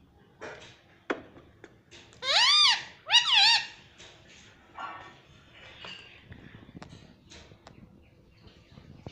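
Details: Indoor pet ringneck parrot saying "mummy"; two loud arching nasal syllables close together, then faint scratchy sounds and clicks.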